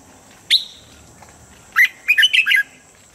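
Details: Red-whiskered bulbul singing its standard voice for morning training: one high downslurred whistle, a gap, then a rich burst of five quick, gurgling, warbled phrases.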